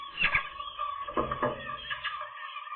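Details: Gull chicks on the day they first fly properly, 7 July 2022: harsh, nasal calls with tonal bands, uneven bursts rising and falling over nearly three seconds, with some low rumbling underneath.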